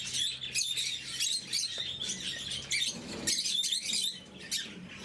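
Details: During morning feeding, blue-mutation lovebirds give rapid, piercing chirps in loud bursts that ease into softer twittering, over a steady low electrical hum.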